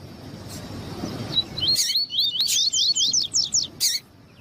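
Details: Female double-collared seedeater calling to stir up a male, a rapid series of thin, steeply rising whistled notes roughly three per second, preceded by hiss and broken by sharp chirps.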